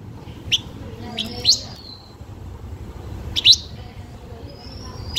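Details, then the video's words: Blue-winged minla lure song for attracting birds: sparse, sharp high chips and short upward-sweeping notes, with one thin level whistle, separated by quiet gaps against a soft background hiss. "Chim khướu lùn cánh xanh hót mồi cực đỉnh/Khướu lục cánh xanh hót căng lửa kích mồi siêu chuẩn"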